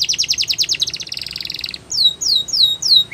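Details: Canary singing for song training: a fast rattling trill of high notes, then a few separate clear descending whistles.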